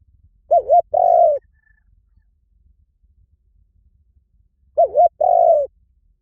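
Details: Spotted dove calling: a quick wavering double coo followed by a longer, steady, mellow coo. The low phrase is given twice, about four seconds apart, with quiet background between.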